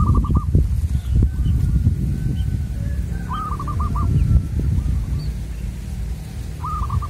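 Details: Local wild zebra dove at a bird-luring spot giving three short cooing phrases, each a rapid run of clipped, bubbling notes, spaced about three seconds apart, over constant low rumble.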